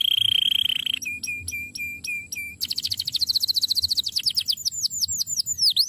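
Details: Canary with an extraordinary master song: a held whistle, five sharp repeated chirps, a fast bright trill, then high notes sweeping down and up.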